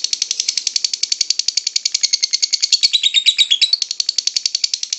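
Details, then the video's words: Lovebird ngekek song for luring: a dense, machine-like rattling trill of high harsh notes lasting five seconds, briefly broken by a twisting, squeaky flourish in the middle. "LOVEBIRD SINGING"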